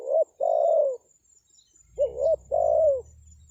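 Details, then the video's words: Spotted dove calling as a lure for wild birds: two phrases of a brief upturned coo followed by a longer mellow coo trailing downward, with light low rumble under the second phrase. "SUARA PANGGILAN TEKUKUR PIKAT, BURUNG HUTAN PASTI NYAHUT"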